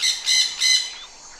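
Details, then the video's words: Parrot giving three harsh, rasping squawks in quick succession, each short and bright with a buzzy, layered tone, the last one trailing off into quiet. "Parrot Voice & Original Sound"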